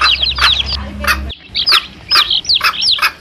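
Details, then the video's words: Domestic chicks with their mother hen, played as a lure for wild male junglefowl: rapid, high, downward-slurred peeps mixed with sharp clicking clucks, then a short pause before the peeping resumes. "SUARA ANAK AYAM DAN INDUK NYA"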